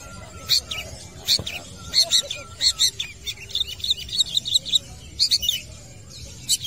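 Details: At a football field, a long-tailed shrike sings eagerly in a dense stream of varied high chips and squeaky twitters, closely packed and uneven in rhythm, over faint background noise.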